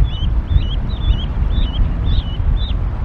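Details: Canada goose nest in Decorah, Iowa, on April 28, 2022, rain and 37 degrees, with parents calling goslings down: repeated high, slurred peeps, some overlapping in pairs, above a steady deep rumble.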